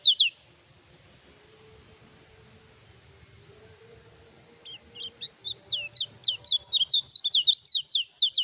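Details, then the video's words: A vigorously singing kecial kuning, kept as a tutoring and provoking recording, opens with a brief burst and a long quiet pause. It then builds into a fast, accelerating string of high, twisting whistled notes. "PANCINGAN KECIAL KUNING GACOR TANPA DOPINGAN COCOK UNTUK MASTERAN"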